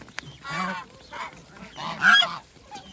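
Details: Farm geese during feeding give three harsh, nasal honks about half a second apart, the last loudest with a brief squeaky edge, over a low background murmur.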